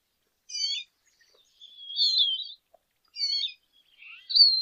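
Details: High lesser goldfinch phrases: slurred whistles and buzzy notes in separate bursts about a second apart, ending on a rising thin note.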